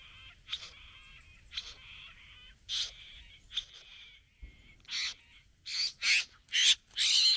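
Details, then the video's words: Satin bowerbird male courting a female at the bower: harsh buzzy notes at irregular intervals, growing louder and denser, ending in loud rasping bursts with mechanical whirring. "Bowerbird. ( Courting female at the bower)."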